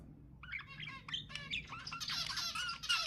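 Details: Pet budgerigar chatter meant to stimulate other budgies to sing: quiet, rapid squeaky notes that build into a denser, brighter burst of overlapping chirps in the last second, over a faint low hum.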